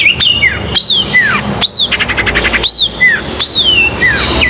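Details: Cendet, the Long-tailed shrike, singing a masteran tutor song for silent birds: loud arched whistles that rise then fall, alternating with softer dropping slurs and a short burst of rapid buzzy notes, repeated roughly every second.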